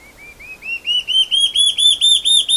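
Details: Mackenziaena leachii, the large-tailed antshrike, singing: quiet low whistles rising into a strong, evenly repeated series of bright arched notes that swell in volume.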